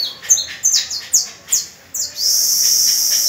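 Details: Canary singing on the first of May with young pupil birds practicing alongside: rapid series of high, sharply descending whistled notes repeated about twice a second, ending in a sustained bright, buzzy trill.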